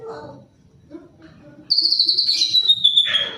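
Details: Male white-rumped shama singing a varied song: after soft low notes, a loud, sustained high whistle slides gradually lower, rich with rapid warbling, ending in a descending note.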